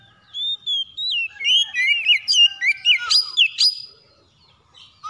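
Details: Morning call of a captive white-rumped shama: a long run of rapid varied whistles and sweeping notes, about four per second, ending in emphatic rising chirps, then a brief quiet spell.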